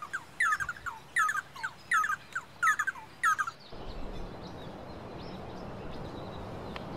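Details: Red-and-yellow barbet: a series of five rhythmic chattering phrases, each a quick cluster of bouncy notes repeated about every 0.7 seconds, then the song stops and steady background hiss remains.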